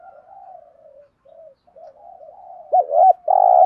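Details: Spotted dove calling as used to excite and train decoy birds: quiet, continuous low cooing, then a short looped coo and one long, strong coo closing the phrase.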